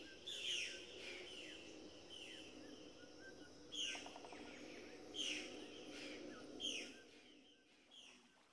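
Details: Rough, grating squawks from scarlet macaws, each a short descending screech, coming in irregular bursts with brief pauses, one quick rattling note in the middle, over faint background noise that fades at the end.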